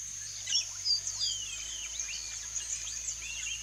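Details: Wild Yellow-rumped marshbirds (Pseudoleistes guirahuro) in nature giving quick, overlapping whistled and slurred chirps over a steady high insect hum.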